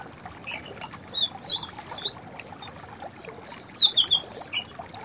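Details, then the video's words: A white-browed fantail sings high, sweet whistled notes. An opening phrase of slurred notes is followed after a brief gap by a longer run of five or six descending whistles, with a faint hiss behind. "White Browed Fantail Singing Songs / white-browed fantail vocals / chirping"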